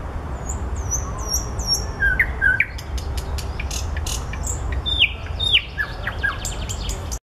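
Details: Singing nightingale among blossoms: high thin whistled slurs, a pair of lower liquid notes, then a burst of clicks and falling whistles, with background hum throughout.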